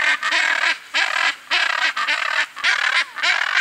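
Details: A Hyacinth macaw foraging for coconuts and seeds in riparian forest gives loud, harsh, grating squawks, about six in under four seconds, each a brief, rough burst at an uneven pace.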